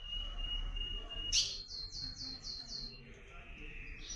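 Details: Blue-black grosbeak in comanche song style, calling and singing as the breeding season arrives: a long steady high whistle, a sharp burst, then a quick run of about six clear, slightly falling whistled notes, with low background hum.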